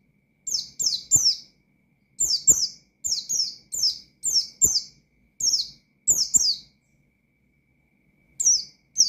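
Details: Provoking rival birds, an Oriental white-eye delivers ngalas-style song as short groups of two or three sharp, high, falling chirps, repeated roughly every second with clean silences between groups.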